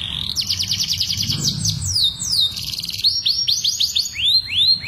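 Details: Domestic canary song used by breeders to stimulate mating, a fast run of repeated downward-sweeping whistled notes, then a steady held tone and a series of arched rising-falling whistles, with a faint low hum beneath.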